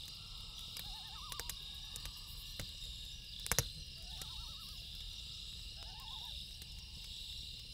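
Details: Night-time loon calls beside a campfire: three separate bouts of fast, warbling tremolo notes, each about half a second long. A constant high cricket drone continues throughout, and the fire gives occasional loud crackles and pops.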